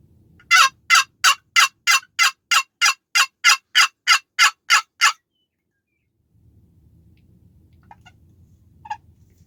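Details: Wild turkey gobbling, heard from a hunting blind near a river pasture on the opening day of archery season; a long burst of about fourteen rapid, rattling throaty pulses, then quiet with a few faint distant notes.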